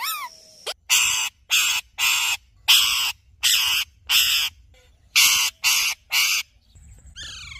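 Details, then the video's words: A ringneck parrot gives about nine harsh, grating squawks in quick succession, roughly two per second, with brief whistled slides at the start and end. "Ringneck Parrot Sounds"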